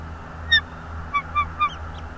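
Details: Wild bald eagle calling from its nest in Northeast Florida on a January 2022 afternoon: one sharp high whistled note, then three short squeaky chirps in quick even succession over a steady low background hum.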